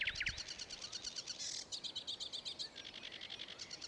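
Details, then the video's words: Sedge warbler singing at Ilmatsalu on 26 May 2017: a fast, chattering run of dry repeated notes mixed with harsh buzzes and a few whistled slurs, delivered at a rapid, uneven rhythm. "Kõrkja-roolind laulmas / Sedge warbler singing"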